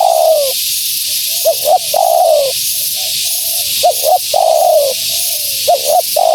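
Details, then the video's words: Cooing female spotted dove, the call used to attract wild doves: a long descending coo, soft murmurs, then paired quick notes and another long coo, repeating steadily against background hiss. "Suara Burung Tekukur Betina Gacor‼️Tekukur Liar Pasti Tak Tahan Mendengar Suara Ini"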